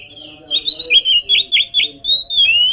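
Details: Unfed, agile oriental magpie-robin delivering a brisk series of clear whistled notes, each dipping and rising, about five in quick succession, ending on a long rising whistle over a low steady hum.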